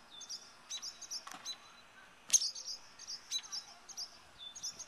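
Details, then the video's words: Two defensive barn swallows defending their nest against a nearby person: thin, high, clipped alarm notes repeated in quick irregular series, over a steady faint hiss of background noise. "Barn Swallows defending nest"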